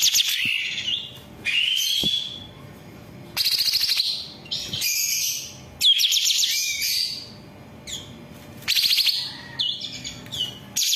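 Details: Long-tailed shrike training song for captive birds, a varied rich medley: long rising whistled slides, buzzy harsh bursts and tumbling twittered phrases, in loud bouts separated by quieter passages.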